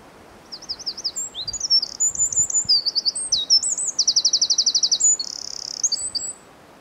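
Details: Wren singing a rapid, high, tinkling song of varied phrases with buzzy trills and a long fast rattle, lasting about six seconds against a quiet background.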